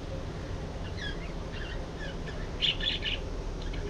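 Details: Budgerigars giving a few short rising chirps, then a louder cluster of harsh, squeaky notes near the end, over low steady background noise.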